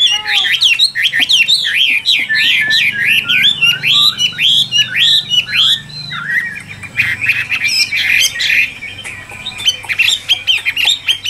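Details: Chinese hwamei pouring out a rapid run of repeated slurred whistles, each note bending up and down, delivered almost twice a second, then shifting into a busier, scratchier stretch of song.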